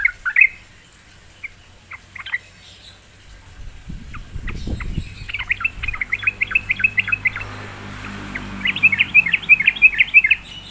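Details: Sooty-headed bulbul drawn into song: a few sparse chirps and a low rumbling noise, then quick runs of evenly spaced bright notes repeated several times a second.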